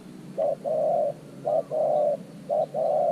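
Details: A decoy spotted dove lures wild doves toward an earthen trap cage. Three loud coo pairs, each a brief note followed by a long even hoot, come at about one-second intervals.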